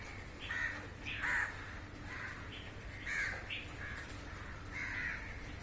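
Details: Harsh caws from a crowd of crows perched in a row on a rooftop and snatching flying insects, short calls repeated about every second or two, some overlapping.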